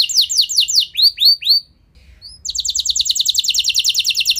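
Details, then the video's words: Canary song used to stimulate other canaries to sing long rolls: descending whistles, upward-curving notes, a short pause, then a fast steady high trill. "Ampuh Buat Merangsang Emosi Burung Kenari Lain Biar Gacor Ikut Ngeroll Panjang"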